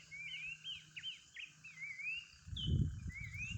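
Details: Horsfield's babbler singing in the wild, a quick run of whistled notes then rising slurred phrases, with a burst of low rumbling noise near the end.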